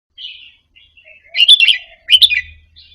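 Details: Caged Red-whiskered bulbul of Indonesian type softly practising doubled 'double-beak' phrases, played to excite other caged birds into singing along. Faint thin twitters, then two loud, bright chattering bursts about a second apart, with a low hum near the end.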